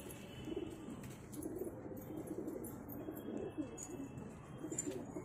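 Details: A pair of pigeons cooing: low, rolling, throaty coos repeat through the clip over steady background hiss, with faint higher clicks and rustles.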